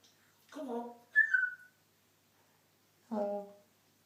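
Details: Pet parrot talking indoors: a short harmonic speech-like syllable, a brief rising-falling whistle-like note, then after a pause another low harmonic word-like sound.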